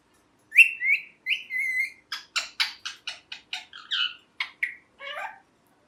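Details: Talking pet rose-ringed parakeet, a green ringneck: three short whistled phrases, then a run of about a dozen rapid, harsh, scratchy chirps, a few with a twisting whistled quality, ending in a lower rasping note; no other sounds.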